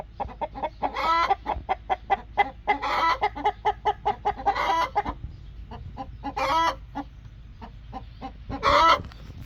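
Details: Broody hen in an angry mood, giving a fast series of clipped, throaty clucks with several louder harsh growling squawks scattered between them.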